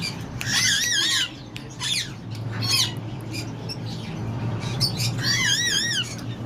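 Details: Talkative tame pair of slaty-headed parakeets, Lalukhet birds market in Karachi: harsh rasping squawks alternating with rippling wavy whistles, clusters separated by short gaps over a constant low background rumble.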